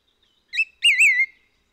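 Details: White-whiskered laughingthrush recorded on Hehuanshan in Taiwan, where it is endemic. A brief whistled note is followed by a loud, rounded, warbling whistle that wavers up and down before trailing off. The background is quiet.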